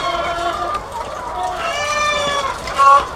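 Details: Egg-laying chickens by the thousands on a farm, drawn-out wavering squawks from several hens overlapping, ending with one brief loud high call.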